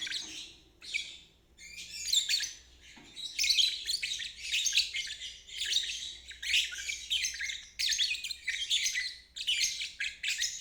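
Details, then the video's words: Lovebird ngeriwik chatter for birds that have stopped singing or are still learning; a few soft notes, then a steady run of loud, high, scratchy bursts about every second. "Terapi Lovebird ngeriwik untuk burung macet dan balibu belajar bunyi"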